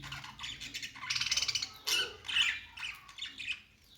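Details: Budgerigars chirping cheerfully: a busy run of buzzy, rasping chatter and quick sharp tweets, including a rapid stuttering burst, delivered in uneven spurts that fade toward the end.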